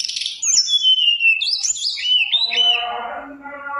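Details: Mountain tailorbird singing to trigger song from other birds: a sequence of high warbled whistles sliding downward, ending in a lower buzzy, harmonic mewing phrase.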